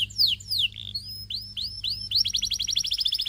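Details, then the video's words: Canary singing loud, varied notes: descending whistled sweeps and upslurred chirps. These lead into a rapid, even trill of short repeated notes over a faint low hum. "Your Canary Calls And Tempts All The Canaries to Sing"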